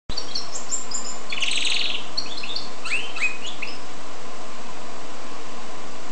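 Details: Goldfinch and canary hybrid singing: a burst of twittering, warbled notes and a bright trilled phrase in the first half, then quiet, over steady low background hum.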